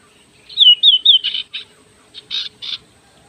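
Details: Kacer sirtu oriental magpie-robin in lively song. A wavering whistled phrase repeats three times, then harsh buzzy bursts follow in short pulses. Little other sound is heard.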